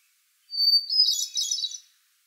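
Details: Hermit thrush, a shy bird of northern forest understories in summer, sings a long steady high whistled opening note, then a shimmering flurry of fluty, tumbling notes a little higher and richer, ending after about a second and a half; clean background.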